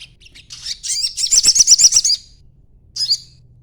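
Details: Young sogon giving a quick, buzzy, high chattering trill of about a dozen pulses, then one short call after a brief pause. The chatter serves as a lure so other birds answer.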